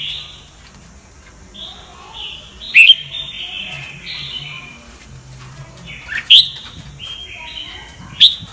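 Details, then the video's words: Sông Kon style red-whiskered bulbul song for training other birds' voices: soft, sparse whistled phrases, punctuated by three loud sharp clicks spaced about two seconds apart. "Chào mào luyện giọng cực hay"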